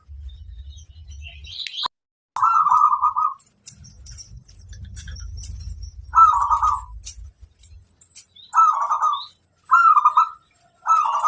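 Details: ['Zebra dove, local stock, in a training recording that prompts other doves to sing: five separate bursts of rolling, trilled cooing at an even pitch, spaced a second or two apart, with a brief low rumble and sparse high chirps.']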